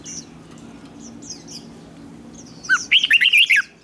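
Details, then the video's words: Red-whiskered bulbul competitive song for training: soft high chirps for over two seconds, then a loud, fast string of looping whistled notes near the end. "Chào Mào Hót Đấu"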